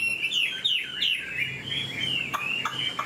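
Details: A large, mature Chinese hwamei (Garrulax canorus) in Vietnam, about 90–95% tame but not fully, stands and sings loudly and continuously: a rich run of slurred whistles and rapid rising-falling phrases, high-pitched and varied.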